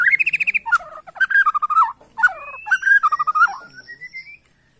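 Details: White-rumped shama from Borneo, singing with the 'sujud' bowing style to unsettle rivals, pours out rapid trilled and wavering whistles in dense bursts, ending with a thin, slowly rising whistle.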